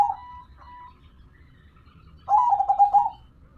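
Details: Local perkutut zebra dove: faint sustained coos at first, then after a quiet stretch one short clear burst of rolling, stuttered cooing notes.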